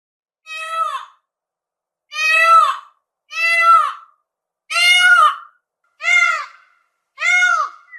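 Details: Peafowl giving six loud, nasal wailing screams, each about half a second long with a slight downward bend at the end, spaced roughly a second apart against a silent background.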